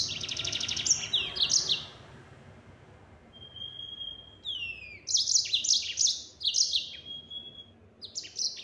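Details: Yellow-fronted canary gives a buzzy phrase, holds a thin steady whistle, then repeats quick high trills in its full-speed 'nembak' song.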